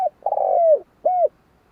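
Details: The end of a spotted dove phrase: a long, slightly rolling coo that slides down, followed by one rounded, even final coo, then silence.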